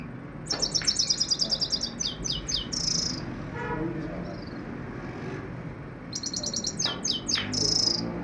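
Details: Common Iora delivering quick, high-pitched chattering trills, a run of rapid buzzy notes then a few downslurred chips and a short hissy buzz, repeated after a pause.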